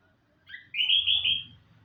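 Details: Orange-headed thrush singing in the morning: one loud, clear whistled phrase that steps up and holds, lasting about one second, over faint low hum.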